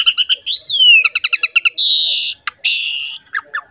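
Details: Asian pied starling singing as a lure to get other songbirds going: quick chips, a long descending whistle, rapid clicking series, then harsh drawn-out buzzy notes and short sharp calls.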